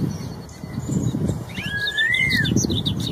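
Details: A single rolling, whistled phrase from a wild straw-headed bulbul, described as red-tailed. It climbs and then glides down, over loud low rumbling noise, with faint high bird chirps after it.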